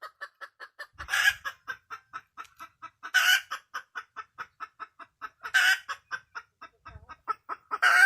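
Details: Hen of the wild red junglefowl uttering rapid repeated clucks, interrupted every two to three seconds by a loud, broad, grating squawk.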